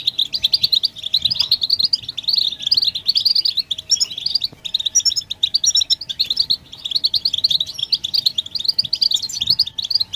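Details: Collective European goldfinch twittering played to encourage males to sing: lively, unbroken runs of high chirps and liquid trills from several birds, pausing briefly near the middle before resuming, over a soft hum.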